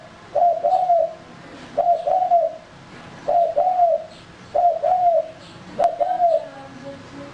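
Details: Male spotted dove used for luring, calling in a steady series of five two-part coo phrases roughly every one and a half seconds, each a clipped note and a longer mellow coo, with one sharp click.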